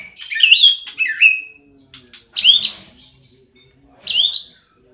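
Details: Oriental magpie-robin (kacer), described as fighting, sings loud, sweet whistled phrases that slur up and down, delivered in three bursts about every two seconds.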